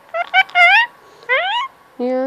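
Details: Indoor pet Indian ringneck parakeet, male, chattering for attention at cuddle time: a quick string of stacked, warbling syllables, then a long rising note and a steady lower voiced tone.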